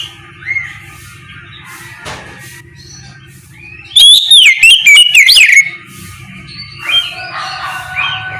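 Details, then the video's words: Morning ngeplong singing by an oriental magpie-robin, intended to prompt other magpie-robins to respond: steady low hum and soft chirps, then a loud, clear phrase of sliding whistles lasting under two seconds, then softer notes. "Suara ngeplong Kacer di pagi hari, pancingan Kacer agar mau nyaut bunyi!!"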